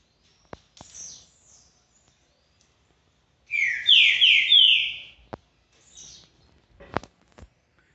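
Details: Caged Green-winged Saltator (trinca-ferro) coming out of molt and returning to song: one loud burst of about four rich, slurred descending whistled notes near the middle, set among sharp clicks and faint thin chirps.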